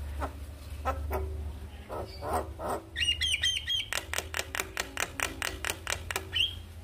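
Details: Morning Javan myna lure song for coaxing a quiet bird to sing: scattered harsh notes, then a long fast train of sharp regular clicks ending in a short whistle.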